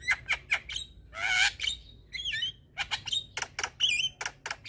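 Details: Black-winged starling song used to provoke stressed, quiet starlings into singing: rapid clicks, a loud harsh raspy burst, then twangy whistles and more sharp clicks.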